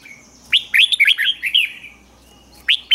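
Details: Caged Red-whiskered bulbul being trained to sing in the morning, 'ché' style: bright warbled, slurred notes in a quick burst mid-clip, then a pause and two short sharp phrases near the end.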